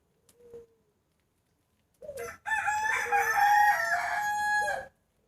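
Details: Rooster crowing in the early morning just before New Year 2020: a faint short call, then a loud harmonic crow of about three seconds, rising then held and falling away at the end.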